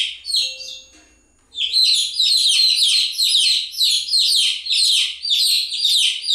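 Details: After a quiet opening second with a few soft scattered peeps, a throng of chicks bursts into loud, continuous high-pitched chirping, overlapping downslurred notes.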